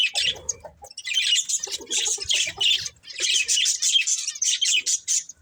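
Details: Several budgies chirping in busy overlapping bursts of scratchy, buzzy chatter and squawks, with brief pauses near one and three seconds; faint low thumps at the start.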